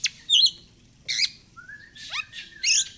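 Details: Oriental magpie-robin singing in 'gacor fighter' style, used as therapy for reluctant singers: sharp high chirps, a long slightly rising whistle, then quick downward-sweeping notes and buzzy trills, over a faint low hum.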